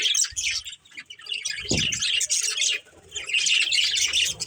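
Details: Budgerigars kept as a breeding pair give busy, overlapping high chirps and warbling chatter in bursts, broken by a short lull and a low knock near the middle.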